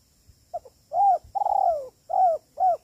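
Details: Spotted dove, kuk 3 style call, used as a lure recording for trapping: soft low hooting coos, two short notes then a longer drawn-out coo and two more short ones, falling slightly in pitch.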